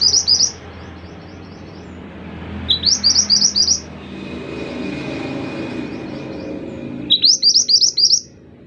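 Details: Scarlet minivet in 'gacor' song, called mantenan: three separate phrases, each a rapid string of about five high, upward-sweeping whistles, spaced a few seconds apart over faint background noise.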